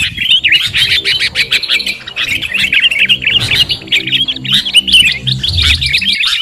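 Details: Sooty-headed bulbul lure call for trapping, a steady stream of harsh chirps and squawky twitters over a low humming background drone.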